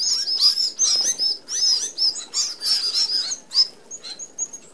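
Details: Red-browed Finches feeding together as a flock at a mesh-guarded open aviary feeder in Australia; dense overlapping high-pitched chirps and thin squeaky notes run almost continuously, then thin out into a few sharp peeps.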